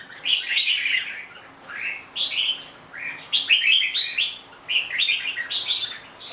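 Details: Red-whiskered bulbul delivering clear, rollicking phrases of bright whistled notes, spaced roughly a second apart, each phrase bouncing up and down in pitch.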